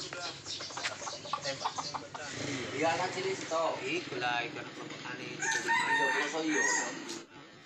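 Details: Red junglefowl in Sumatra, recorded while young wild birds are being lured with a traditional decoy method. Busy rasping calls come first, then a clear harmonic crow near the end, with some human voices behind.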